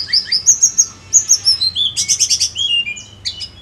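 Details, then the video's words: A Snowy-browed Flycatcher, recorded as a lure to make other birds sing, sings thin, very high notes, some sliding down, then a run of quick buzzy chips, about three notes a second. "PANCINGAN TLEDEKAN GUNUNG FULL GACOR"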